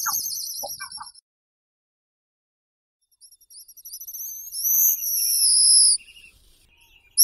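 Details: Guillemot call: thin, very high wavering whistles with a few low notes, a pause, then a long high whistle that rises, wobbles and slowly falls, ending abruptly.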